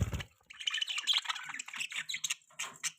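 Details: Budgerigar warbling: scratchy, continuous chirps and squeaks in quick succession, with a low thud at the start.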